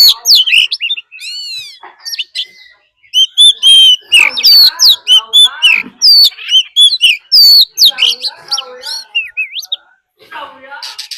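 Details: Fighting song of a decoy Oriental magpie-robin, with a wild female's call added: loud, fast sequence of varied whistles, upward sweeps and looping notes over rough chattering, pausing briefly near the start and end.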